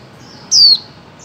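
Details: A single loud, thin, high note from a female white-eye, sliding downward and lasting about a quarter second, used in 2024 to stimulate mute birds to sing; faint hiss around it.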